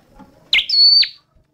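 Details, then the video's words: A single high phrase from a red-headed flowerpecker: a brief sharp note, then a steady thin whistle held for about a third of a second that ends in a quick falling slur. "Tiếng chim Sâu Đầu Đỏ hót chuẩn"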